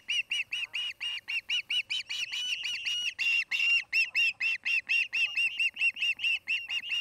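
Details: Osprey at a nest near Charlo, Montana, nest camera, afternoon of 8 August 2018; a long, loud run of high piping whistled chirps, about two per second, steady and insistent for seven seconds.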